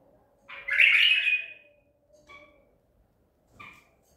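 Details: White-eared bulbul of the Baghdadi tur type, caught at Medical City, recorded 14 April 2021: one loud, rich warbled phrase lasting about a second, followed by two short faint chirps, with a steady low hum underneath.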